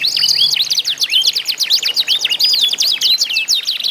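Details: Isian-style canaries singing against each other, a recording meant to coax other canaries to sing; rising clear whistles mixed with fast stacked down-swept notes, loud and continuous, with a soft low hum early on.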